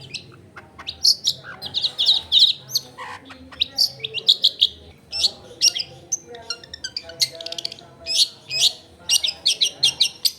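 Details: Long-tailed shrike singing continuously, recorded at home amid a densely populated area to make silent shrikes answer: a rich jumble of varied high twitters, chirps and squeaky notes over faint household background.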